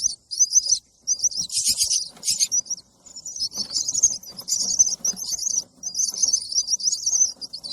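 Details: Baby bird begging to be fed: high, strident chirping in bursts of one to two seconds with short silent gaps, some bursts harsher and wider, faint rustling below.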